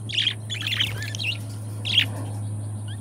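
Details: Pet budgerigar pair lets out quick clustered chirps near the start, then a single bright burst after a pause, over a constant low hum.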